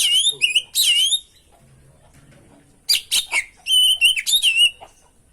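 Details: Singing oriental magpie-robin (kacer), a 'gacor isian' tutor and lure recording: loud, clear whistled phrases with sweeping and warbling high notes in two bursts separated by a short quiet gap.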